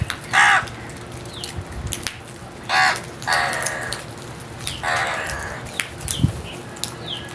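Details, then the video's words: Harsh crow caws, spaced irregularly, some short and some drawn out and raspy, over a low background rumble with faint small-bird chirps. "Very strange Crows Sounds | Amazing noise made by Crows"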